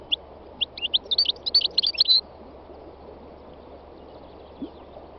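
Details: Three-year-old North African goldfinch on a spring day in Tunisia's north-west mountains: a few separate chirps quicken into a tight, liquid twitter lasting about two seconds, then fall silent.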